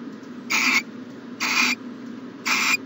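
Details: Three evenly spaced rasping hisses, each about a quarter second, from an owl at the nest box on a morning in mid-January 2020. A low droning hum is in the background.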